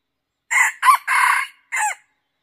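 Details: Crow of a red junglefowl lured in by decoy hunting: four abrupt, harsh syllables, two quick notes, a drawn-out middle one and a short drooping ending, over near silence.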